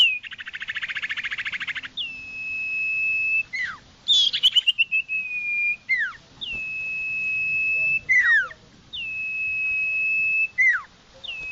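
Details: Common iora song: long, level, pure whistles, each held one to two seconds and ending in a quick down-slurred flourish, four phrases in all, one gliding downward; a harsh buzzy rasp opens the recording.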